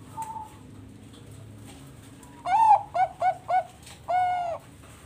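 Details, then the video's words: Captive-bred Bangkok zebra dove in Bekasi, West Java, sung as a lure to set other doves singing: a faint coo, then a long loud coo, three short clipped coos and a final drawn-out coo. "Pancingan burung perkutut bangkok manggung"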